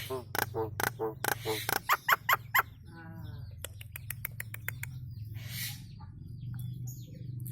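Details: Nias hill myna song for training cage birds, beginning with loud clicks and harmonic nasal notes in quick succession, fading into softer chatter over a low steady hum.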